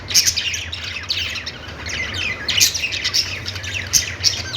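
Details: Parakeet chatter from budgies, with rapid high chirps and short squawky notes crowding over each other, some sharper peaks standing out, over a faint low background hum.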